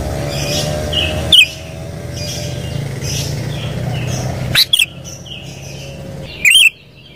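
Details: Sooty-headed bulbul calling over a noisy, rumbling background: three loud, short whistled bursts, with softer chirps from other birds between them.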